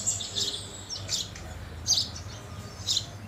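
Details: Three brief, high chirps from house sparrows at food, spaced about a second apart, over a faint low hum.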